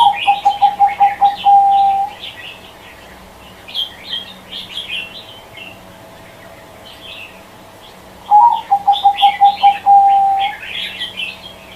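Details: Zebra dove cooing: a quick run of short, low, even notes that slide into a smooth trill, given twice about eight seconds apart, while smaller birds chirp busily at a higher pitch throughout.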